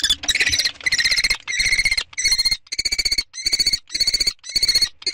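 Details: Common kestrel calling during the second and third prey transfer on 2 May 2013: a loud, buzzy, harmonic series of pulsed calls repeated nearly twice a second, roughly ten bursts in five seconds, with no other clear sounds.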